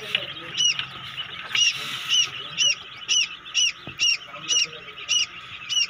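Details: Shrill, evenly spaced peeping from quail chicks as they hatch in a homemade egg incubator, about ten arched high notes over six seconds, with a faint click and a low electrical hum.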